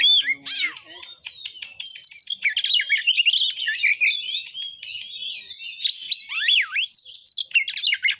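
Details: Oriental magpie-robin singing a long 'tembakan' full-repertoire sequence used to provoke rivals: a sharp down-slurred whistle, fast chattering runs, a raspy burst, then rising and falling whistled swoops.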